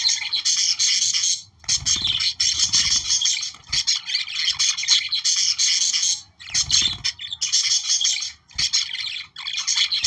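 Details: Budgerigars warbling to stimulate breeding: continuous buzzy, chattering song with squeaky notes, split into several bouts by brief pauses, plus low dull thumps around two and seven seconds.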